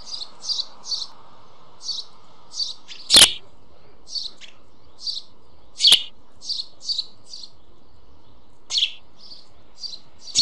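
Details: White storks at a nest in Vetschau with four chicks, the fourth newly hatched, at 9:20 on 21 May 2011; thin high chirps come in short clusters of two or three, broken by a few sharp loud clicks.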